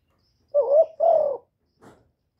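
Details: Spotted dove (cu đất) calling and cooing, recorded directly without background noise: a loud pair of mellow coos, the first wavering, the second long and gently falling, then a faint soft rustle.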